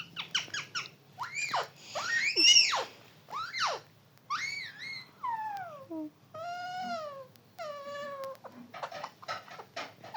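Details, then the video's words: Talking parrot, indoors: a varied run of harmonic, arched squawks and meow-like calls, some rising then falling, others sliding downward in long drawn notes, with a burst of short sharp notes at the start and the end. "talking parrot"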